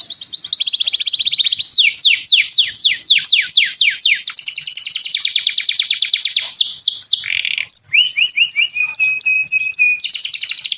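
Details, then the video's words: Canary (kenari) in full, loud song: a long continuous stream of high trills and rapidly repeated downward-sweeping notes, changing tempo between sections, with a stretch of paired lower whistles near the end. "Kenari Gacor"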